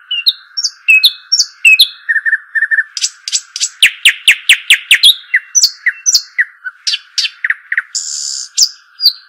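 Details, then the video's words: ['Arabian babbler giving a varied chattering series: high chirps and short whistles, then a fast run of about ten sharp descending notes, with more scattered chirps and a buzzy burst near the end; a constant hum sits beneath.'] "صوت الشحيم الاصلي او صوت طائر الدخل"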